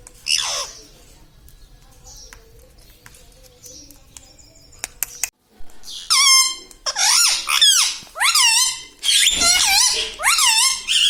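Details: Talking pet parrot, known for saying mithu, mummy, papa and radhe radhe; quiet room noise and a few faint squeaks at first, then a run of loud, harsh, swooping speech-like squawks in quick bursts during the second half.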